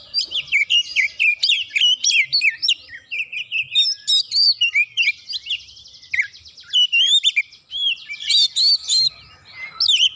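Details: Agitated White-rumped shama, provoked by a rival, pours out a long varied song of clear looping whistles, quick chirps and a buzzy trill in the middle, phrases rushing one after another with a short lull.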